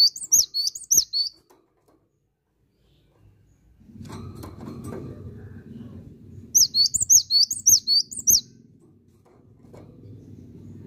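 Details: Cinereous tit repeatedly singing bursts of high, sharp two-syllable whistles in quick succession, two separate song bouts split by several seconds of low rustling and murmur.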